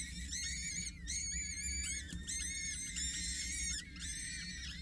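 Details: Peregrine falcon chicks, four youngsters six to eight days old, in a nest at a water tower in Scheveningen on 8 May, begging while a parent feeds them: overlapping thin, high, wavering squeals in bursts about a second long, with a low hum beneath.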